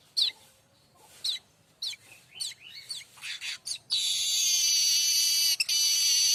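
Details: Streaked weaver tutor song for magpie-robins and shamas: a series of sharp falling chips and clicks about twice a second, then a long, intense sizzling buzz lasting over two seconds with one brief break.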